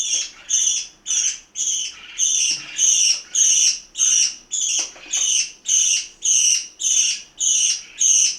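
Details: A steady series of about thirteen evenly spaced, buzzy squawks, roughly two per second, from domestic parakeets at mealtime in Itaim Paulista, São Paulo, Brazil.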